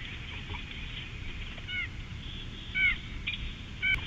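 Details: At Big Bear in 2018, a Bald Eagle gives three thin, squeaky chirps about a second apart, over a steady rush of wind or ambient noise.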